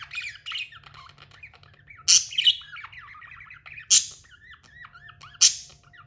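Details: A tame budgie warbles in twisting, rising and falling whistled notes, interrupted by three loud harsh squawks about one and a half seconds apart, with a low hum in the room.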